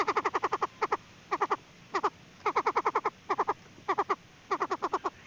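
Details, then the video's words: Female Chinese francolin calling, played as a decoy for trapping. Crisp, clucking notes come in tight bursts of two to six, the groups separated by short gaps, with a steady, even tone throughout. "tiếng chim đa đa(gà gô) mái mồi cực chuẩn"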